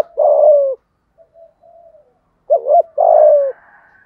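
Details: Spotted dove with the deep 'giọng thổ' voice, cooing to rouse a rival male: a sustained low coo, brief faint notes, then a quavering double note leading into a second long coo.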